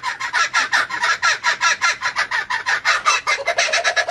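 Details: Laughing kookaburra in full cackle: harsh, rapid chuckling notes, about seven or eight a second, running together and quickening near the end.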